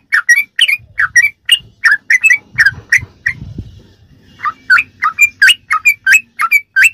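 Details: Fast 'ropelan' phrases of a sooty-headed bulbul meant as filler song for training kept birds: bubbly chirps in runs, a pause with low rumbling around three to four seconds, then the chirping resumes.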